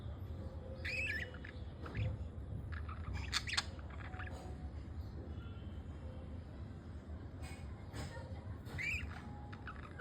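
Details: Pet budgerigars, a male and a female, preening each other while bonding indoors; scattered short, scratchy squawks and chirps break a steady low hum, with quiet gaps between the bursts.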